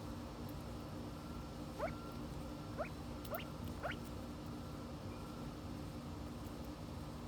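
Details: Silver pheasant in the United States: four short rising chirps spaced about half a second to a second apart in the middle, then quiet except for a steady low hum.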